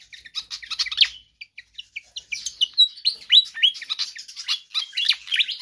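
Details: Persistent Pied fantail song for training or luring other birds: clusters of bright squeaky chirps, a short near-silent break, then rapid repeated downslurred whistles and chips, about three or four each second.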